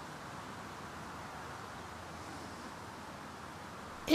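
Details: Steady outdoor wind rush fills the recording with no animal voice, ending in a sudden loud handling knock.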